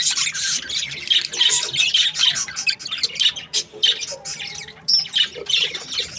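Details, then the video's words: Happy breeding pairs of budgerigars chattering together: a dense, overlapping wash of scratchy chirps, squawks and warbles, high and continuous with no pauses. "Happy budgie chirping sounds | breeding pairs"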